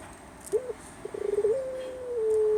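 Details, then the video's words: Puter dove, a Javanese bird, cooing: a brief low note, then a rapid trembling series of soft coos building into a long, steady, held tone that drops slightly near the end. "The bird call Puter the legend of Javanese bird"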